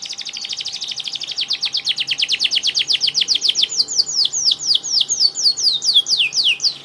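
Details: Canary in full song, described as gacor (singing vigorously): a long run of rapid repeated high notes, first fast dense trills, then slower descending whistled sweeps about twice a second, continuous throughout.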